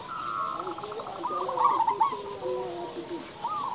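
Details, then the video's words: Vigorous local zebra dove song for stimulating other doves: a fast rattling series of coo notes speeding into a bright bubbling trill, with lower coos overlapping. "perkutut lokal gacor suara besar"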